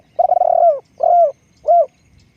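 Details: Spotted dove used in decoy luring, giving three clear low coos: a long purring, rolled first note followed by two shorter, rounded hoots, with a quiet background.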